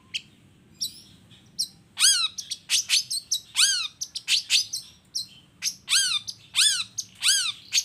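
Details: Long-tailed shrike in full, chattering 'toet toet' song used as a lure to prompt other shrikes to answer: quick series of sharp, arched whistled notes and harsh buzzy chirps, irregularly spaced, on a faint low hum.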